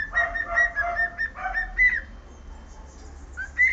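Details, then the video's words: Cockatiel whistling the Sport Club anthem, a run of quick linked whistled notes with a lower steady tone beneath, then a pause of quiet before one more bright whistle at the end. "KALOPICITA CANTANDO HINO DO SPORT"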